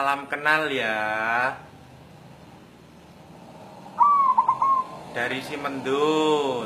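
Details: White zebra dove of local natural stock seeking a mate, giving one mellow coo that starts with a sustained tone and ends in short rapid pulses, between stretches of loud human-like voiced sounds at the start and end.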